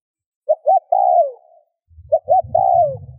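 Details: Spotted dove giving two coo phrases, two short notes then a drawn-out falling note, meant to stir other doves; a low rumbling noise joins under the second phrase.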